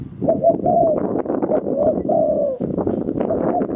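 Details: Spotted dove calling, a recording used as a lure to draw in wild doves for trapping; soft repeated mellow coos in a rolling series over a heavy, rough background noise.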